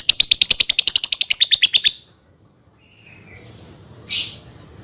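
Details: Lovebird song meant to teach young birds: a fast run of high, buzzy chirps for two seconds, gradually dropping in pitch, then silence and a brief harsh squawk with a thin closing note.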